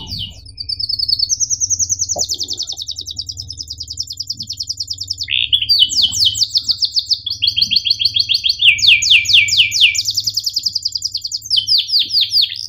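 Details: Young-bird training recording of a canary singing long rolling trills, a dipping buzzy phrase and bursts of rapid descending chips, over a steady low hum.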